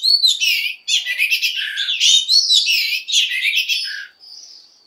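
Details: Dense, continuous warbling by a female Oriental magpie-robin stimulating males, with scratchy chirps and whistles overlapping throughout before ending in a thin high whistle.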